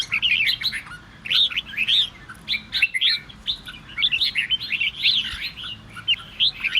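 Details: Red-whiskered bulbul singing to spur other bulbuls into song: lively phrases of quick, rising and falling chirps, grouped in bursts with short pauses and a brief lull near the middle.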